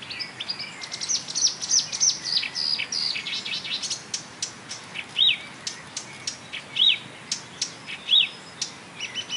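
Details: A marsh warbler mimics many other birds, including tit, blackbird, lark, goldfinch and starling, by a railway embankment at Bernau-Friedenstal, May 2013. The song is fast and varied, with chattering runs and clear rising-falling whistles repeated about every second.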